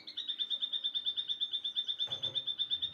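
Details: Afternoon bird song as a rapid, very regular high trill of pulsed notes, about three per second, with a brief low thump partway through.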